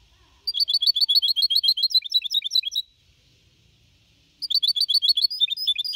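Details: Goldfinch hybrid (mixto de jilguero), 4.5 months old, singing the Copia Malaga style in 2021, used to motivate other birds; two bursts of rapid, high, chattering twitters separated by a quiet gap of over a second.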